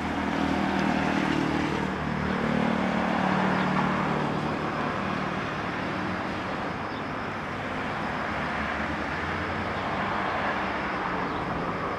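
Steady roar of road traffic and passing cars fills the whole stretch, with no animal voices standing out.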